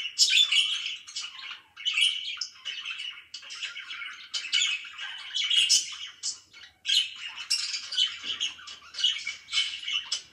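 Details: Budgerigars kept as pets chirp in the morning, with continuous scratchy warbling, squawky notes and high tweets in overlapping bursts, brief gaps near two and seven seconds, heard in a small room.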